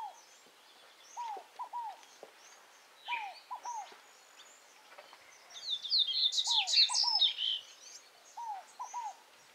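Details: Scaled Dove (rolinha fogo-apagou) calling in the wild near Tupi Paulista, São Paulo: low three-part descending coos repeated roughly every two seconds, while a louder high-pitched chattering bird briefly overlaps mid-way.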